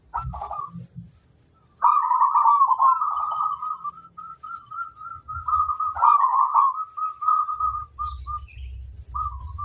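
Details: Female zebra dove in the wild, described as flirtatious, giving long rolling trilled coos near one pitch, repeated in drawn-out phrases with brief pauses, over low background rumble.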